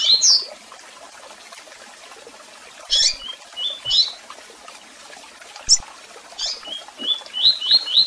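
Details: Double-collared seedeater: an opening high chirp, long pause, then harsh chirps, sliding whistles and a closing rapid run of repeated whistled notes.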